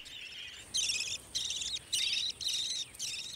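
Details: Young budgerigar chicks in a tree hollow in Australia's central ranges, fed by their mother, give harsh, buzzy, high-pitched rasping calls in five or six bursts of about half a second each, with short pauses between.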